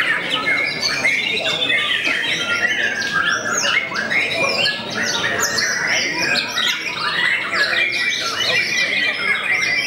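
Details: White-rumped shama, a fighter and contest bird known for song that makes many rival birds fall quiet, delivers a dense, continuous stream of varied whistles, rapid slurred notes and harsh chattering phrases with no pauses.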